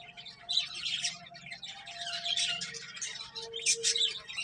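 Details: Finches eating and playing: scattered high chirps and twittering notes in loose clusters, a few sharper tweets standing out near the end, low background hum.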